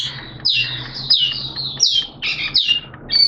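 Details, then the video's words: Oriental white-eye hobby bird (Mata Puteh) in buka singing amid wet, erratic weather, September 2022: loud, descending slurred notes repeated roughly every half second, somewhat harsh, over a constant low hum. "Mata Puteh T-Rex Buka Sing"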